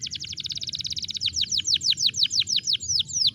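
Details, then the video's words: Lure song of a canary, meant to prompt a silent canary back into song: a rapid high trill that slows into a series of loud, downward-sweeping notes repeated about three times a second. "Solusi Masalah Kenari Macet Bunyi, Sekali Pancing Langsung Bunyi"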